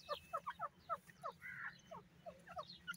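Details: Rapid chattering from an Irani teetar, a francolin: clipped notes that drop in pitch, delivered in quick doubled bursts, with one longer nasal note midway and a faint hum underneath.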